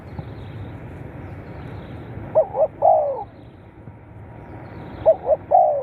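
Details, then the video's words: Spotted dove, a recording played to stimulate captive birds: two cooing phrases, each two short hooting notes then a longer falling coo, spaced about three seconds apart over a quiet background hum. "เสียงนกเขาใหญ่ เปิดกระตุ้นนกชำ ขึ้นไว"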